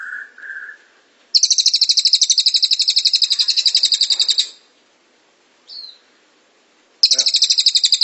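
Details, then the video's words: Velvet-fronted Nuthatch (cililin) 'tembakan rapat' for master training: two short whistled notes, then a three-second rapid high rattling trill, a brief chirp, and the trill starting again. "Masteran Cililin Tembakan Rapat Durasi Panjang"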